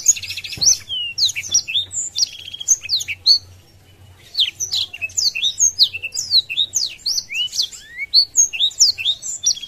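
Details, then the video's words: Blackthroat in full song, spreading its wings to stir up rivals: long strings of quick, sharp high chirps and slurred whistles, a brief quiet gap midway, then a denser twittering stretch; low hum in the background. "Blackthroat Gacor Buka Sayap | Memancing Emosi Lawan"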